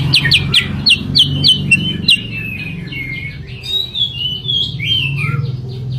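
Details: Sooty-headed bulbul lure song: quick downward-flicking chirps at first, then flowing into longer, wavering warbled whistles that rise and fall, over a low rumbling background.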